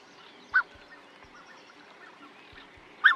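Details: Black-necked swan at Humedal Petrel wetland, Chile, giving two brief, soft, slightly wheezy honking notes about two and a half seconds apart, over a faint steady hum and a few low thumps.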